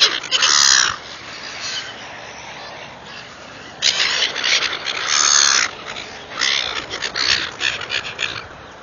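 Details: Gulls being fed, giving loud raucous squawks in irregular bursts separated by quieter gaps. Several harsh cries come close together, then a pause, then another cluster, over a low steady background hiss.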